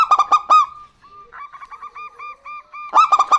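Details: A female and a male local zebra dove singing in reply: a loud burst of rich coos, a brief hush, a line of gentle repeated coo notes, then another loud burst.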